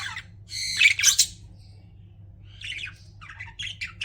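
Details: Pet budgerigars squawking with a loud, harsh, buzzy burst, then a quieter run of rapid, warbling, chattering notes, above a low hum.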